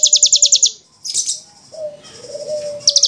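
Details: Javan bush lark from a masteran tutor recording for caged larks: rapid, evenly spaced high ticking trills, then a burst of buzzy notes, with a thin steady whistle running low beneath, and a final short trill.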